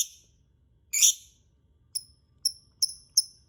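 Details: Lure recording of a lovebird to encourage other birds to sing: harsh, broad squawks open the sequence, then four thin, high, clipped chirps spaced roughly half a second apart.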